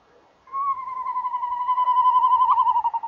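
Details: Tawny owl pair, male and female calling together at a nest box in the evening: one long, wavering, tremulous hooting note about two and a half seconds long, steady in pitch and shaking rapidly throughout, in an otherwise quiet night.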